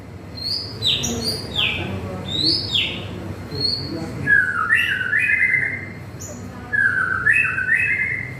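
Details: White-rumped shama singing in the afternoon during light drizzle. Clear whistled phrases alternate between high, sliding notes and lower, warbled, buzzy trills, with short pauses between phrases. A steady low rumble of rain and background noise runs underneath.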